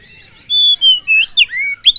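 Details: Oriental magpie-robin (kacer) song used as a lure to fire up other birds: a quick run of clear whistled notes, several sliding downward, ending on a sharp upward flick.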